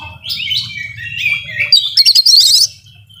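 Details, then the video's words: Oriental magpie-robin delivering a full-of-fills 'nembak' song used to prompt a silent kacer to sing: falling whistled slurs, then a rapid shrill trilled flourish, over a soft low rumble. "Kacer Nembak Full Isian Cocok Buat Pancingan Kacer Yang Lagi Males Bunyi"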